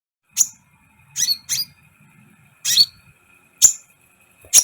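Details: Sunbird (kolibri ninja) in full song, used as a training recording to excite other birds quickly; sparse, very high, sharp chirps and short sweeping notes spaced about a second apart, with a faint steady hum behind.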